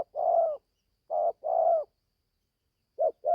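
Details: Young caged spotted dove from Gia Lai, Vietnam, just starting to call, on its first forest training outing. Two coo phrases, each a short note and then a longer drawn-out note, with a further phrase beginning at the end. The setting is otherwise quiet.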